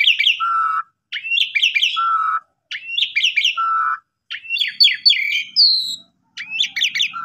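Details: Asian pied starling singing a pumping-style lure song to stimulate other starlings: looping high notes followed by a low buzzy note in a steady repeated phrase, ending with varied whistles and a thin high note.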